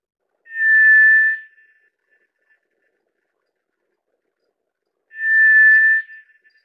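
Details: Tiger thrush (White's thrush, Zoothera aurea) giving two identical flat, monotone whistles about four and a half seconds apart, each lasting roughly a second, with quiet between them.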